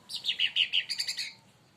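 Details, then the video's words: Leafbird stirred up by a rival bird sings a short, bright phrase of about eight quick, slurred whistled notes, slowing slightly toward the end. "cucak Ranti bahan auto esmosi||dipancing Burung ini"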